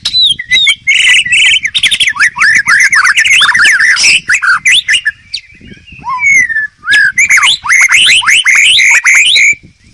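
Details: Loud 'gacor' master song of a white-rumped shama: dense runs of fast up-slurred whistles and harsh buzzy notes, a short pause near six seconds, then a fresh torrent of rising chirps.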